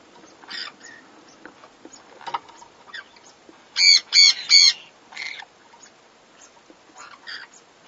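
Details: A mating pair of pineapple green-cheeked conures, possibly in the nest: one gives three quick, harsh, high squawks in a burst, with softer scattered chatter and clicks before and after.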